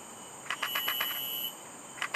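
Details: A female Yellow-rumped flycatcher at Dairy Farm during migration season gives a quick run of six dry, clicking notes, about eight a second, then two more, over a steady high background whine.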